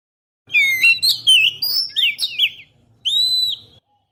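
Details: Oriental magpie-robin song used as a lure to attract birds, captured on a GoPro Hero, with loud clear whistled phrases that swoop up and down in a quick varied sequence, a short pause, then a long level whistle.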